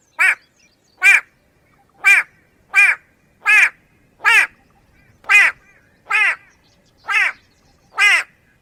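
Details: White-bellied go-away-bird (Crinifer leucogaster), whose call is said to sound like "go away": harsh, nasal, bleating calls, about ten in nine seconds at a slightly uneven pace, each a short downward-bending note.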